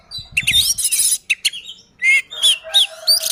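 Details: Oriental magpie-robin singing aggressively to provoke other birds: short bursts of harsh buzzy notes and clear rising whistles, separated by brief gaps, nearly free of background noise.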